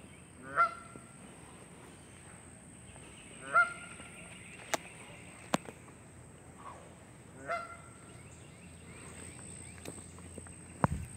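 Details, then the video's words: Canada goose calling on May 20, 2023: three clear nasal honks roughly every three to four seconds, with scattered clicks, a steady high hiss and a low rumble at the end. "canada goose calling"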